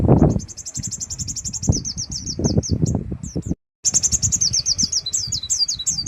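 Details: Sogon delivering rough 'tembakan' song material: fast high trills of sharp notes that break into slurred, downward-flicking phrases, pausing briefly before resuming, with soft knocking sounds beneath.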